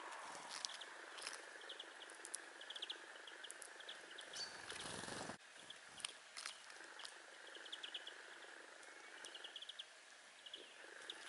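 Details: A pair of Bramblings, recorded January 2018 at Scrignac, Brittany, France, call with short, high chirps and twittering notes scattered irregularly, with a brief burst of wind or handling noise partway through.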